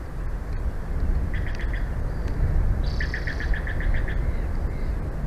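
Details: At a Big Bear Valley bald eagle nest on a live cam, 06/02/2024, 14:32: a rapid series of seven or so thin, evenly spaced piping notes, preceded by a few softer chips, over heavy low background rumble.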